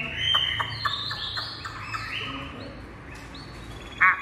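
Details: Captive Chinese hwamei, said to sing well: fluid whistled phrases that rise and fall, fairly faint, with a low background hum and a brief harsh burst near the end.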